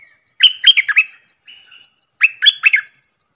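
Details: Red-whiskered bulbul singing two short bursts of rich, liquid, warbled notes that dip and rise, separated by a brief pause, with a faint thin note trailing between them.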